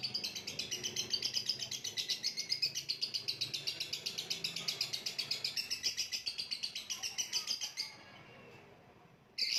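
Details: Lovebird singing in the kicau mania contest-bird style, described as macet (halting): a long fast rattling stream of high, shrill chirps, about four per second for eight seconds, ending abruptly, then one more sharp note.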